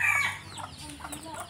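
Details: Free-ranging red junglefowl in a backyard flock: a sharp, high, strained note opens loudly, then softer broken clucks and scratchy calls follow from the many birds nearby.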